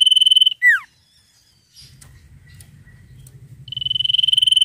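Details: A sirtu delivering energetic trilling song: a high buzzy trill closes with a steep downward slur, then soft thin whistles and a low rumble before a new rattling trill begins.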